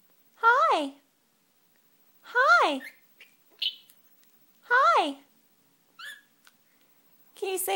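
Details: A pet male Senegal parrot, responding to his owner talking, gives three drawn-out, rising-then-falling nasal calls about two seconds apart, with soft clicks and chirps between, indoors.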